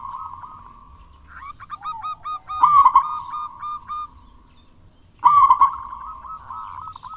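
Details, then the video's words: Zebra dove of local wild stock calling strongly, meant to coax lazy doves into singing: steady low cooing, then stuttering rolled notes and two loud trilled coo phrases about two and a half seconds apart. "Perkutut Lokal Alam Gacor Untuk Pancingan Perkutut Malas Bunyi"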